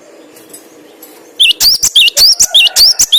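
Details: Over a low background drone, a cinereous tit (gelatik batu) starts a brisk, repeated pattern of shrill, curling whistles, loud and evenly spaced.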